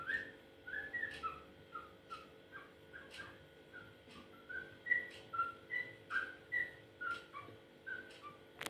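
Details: Strange-sounding yellow-vented bulbul giving a series of brief whistled notes, roughly once per second, each a short slurred chirp alternating between higher and lower pitches, with soft clicks and faint hum behind.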